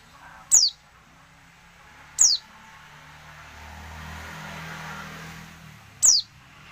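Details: Female oriental white-eye calling to prompt reluctant males to sing, three piercing high descending whistles at uneven intervals, with a low rumbling hum underneath.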